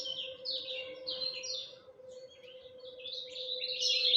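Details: Lemon-bellied white-eye singing at dawn: short bursts of high, quick chirps, a quieter moment, then a rising, denser rush of twittering, all above a steady low hum.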